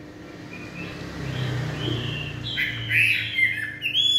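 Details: Chinese hwamei singing in the evening; quiet opening over a low hum, then loud whistled notes arrive in the last two seconds, slurring up and down with a bright, ringing rising phrase at the end.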